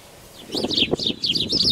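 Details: Black-tailed godwit males fighting over a nesting territory in a meadow while females watch from a distance; after a quiet start, a run of loud, nasal, rising-falling call notes repeats rapidly, with some low rustling beneath.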